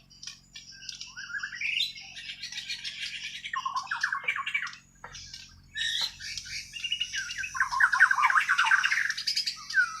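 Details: Kalimantan white-rumped shama from Borneo in natural, untrained song: rapid scratchy chatters mixed with rich whistled slurs, two loud bursts separated by a brief pause near the middle.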